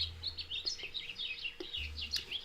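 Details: House finch singing in early spring in Lake County, northeast Ohio: a long, rambling warble of quick slurred notes, rising and falling without pauses, over a low steady hum.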